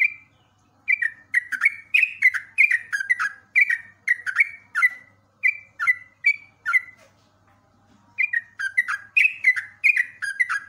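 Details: Yellow-vented bulbul (trucuk) song from a long tutoring recording for cage birds: bubbly, liquid phrases of two or three gurgling notes, repeated in quick runs, with a pause of about a second partway through.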